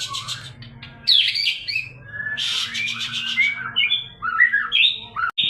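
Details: Murai batu (White-rumped shama) lure song for morning and evening: harsh, noisy chattering bursts mixed with sweet whistled notes and quick upslurs, ending in a sudden cutoff.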